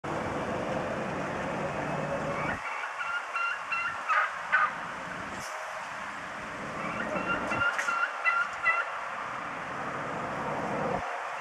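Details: A turkey gives two bursts of rapid, harsh, rattling notes, gobble-like and fairly high-pitched, described as barking. A low rumble of wind or traffic runs underneath at the start.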